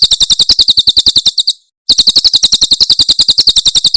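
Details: Javan prinia, 'tembakan' song style from Cililin, for use in bird tutoring: quick, loud, high chirps in a regular pulse, a brief pause mid-way, then the fast series carries on.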